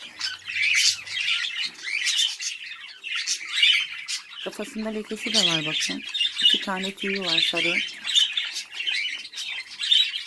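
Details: Home-bred hobby budgerigars chattering almost nonstop in rapid, buzzy, high twitters and squeaks, while a person talks over the middle stretch of the recording.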